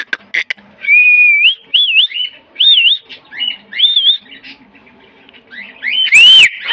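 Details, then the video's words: Pet green rose-ringed parakeet giving a run of wavering whistled notes, rising and falling, after a couple of sharp clicks, closing with a loud harsh squawk. "talking green parrot😍 ..(Mithu parrot)"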